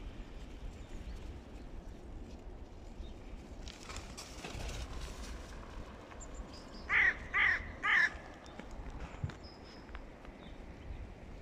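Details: A hooded crow gives three harsh, hoarse caws about half a second apart during a serious fight between two crow clans, over steady outdoor background noise.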